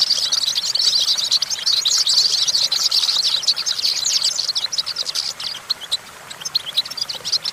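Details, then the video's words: A goldfinch on a branch pours out a dense, high twittering song of quick chirps and buzzy trills, strongest in the first half, then breaking into sparser separate notes. "Discover the stimulating sounds of the natural the goldfinch"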